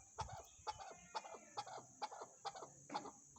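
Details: Chukar partridge giving a steady series of low, hoarse clucking notes, each note repeated roughly every half second with an even rhythm, over a constant faint high-pitched hiss in the background.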